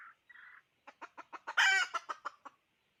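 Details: Hen calling as a decoy hen: a short sequence of clipped clucks that quicken and build into one loud, harsh cackle, then trail off in a few softer clucks.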